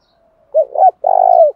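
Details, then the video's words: Spotted dove lure call used to provoke fighting. A faint thin lead-in, then a loud hoarse two-note coo and a drawn-out vibrating, purring coo, all in near silence. "cu gáy, cu cườm thúc đấu và gáy gọi"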